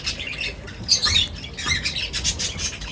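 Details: High squeaky chirps and short slurred whistles from birds during feeding time, over a low background rumble.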